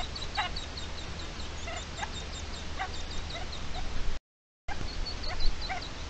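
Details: Adult red-legged partridge calling in defence of its chicks on 29 May 2023. Clipped, grating notes come every second or so amid a dense run of faint high-pitched peeps, with a brief silent gap near the end.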